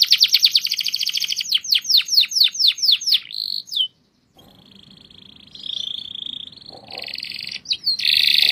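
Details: Canary singing a series of loud downslurred chirps that slow gradually, a short high note, then a pause followed by softer buzzy trills and a loud rolling burst at the end.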